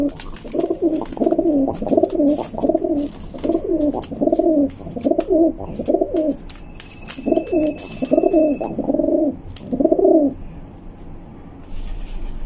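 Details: A young female rock pigeon, which pecks and fights her owner's hand, gives a run of low, throaty rolling coos in two bursts, each coo warbling around the same pitch, with a brief thin whistle in the background.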